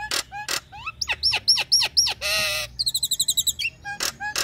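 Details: Female Nias hill myna in breeding mood calling the male: quick series of loud whistled upslurs, a harsh buzzing burst, a fast high rattling chatter, and sharp ringing notes.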